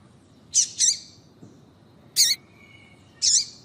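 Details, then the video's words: A female double-collared seedeater calling to set a male singing: a quick pair of high chips, then after a pause a sharp note trailing into a faint thin whistle, and a final down-hooked chip, over a quiet hum. "Melhor Piado de Fêmea de Coleiro para Foguear Coleiro tui tui Com Fêmea de Coleiro Chamando"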